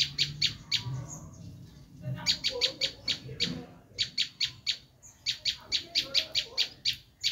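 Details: Bar-winged prinia screaming, recorded to attract wild prinias: series of sharp, harsh high notes delivered in quick runs of four to eight, separated by brief gaps, with a soft low rumble beneath.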